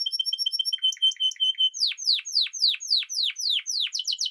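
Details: Song of a Spanish timbrado canary. Short high piping notes in quick succession give way to a series of sharp downward-swept notes, each about a quarter second apart, on a clean, quiet background.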